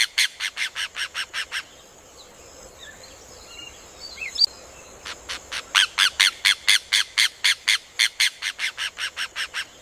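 Rufous hornero giving loud, rapid series of ringing, strident notes, about two per second, pausing briefly before resuming; faint background bird calls.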